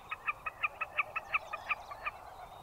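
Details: Wilson's snipe calling with a rapid, steady series of about a dozen clipped, ringing notes, roughly five per second, each loud and bright, against a low background hiss.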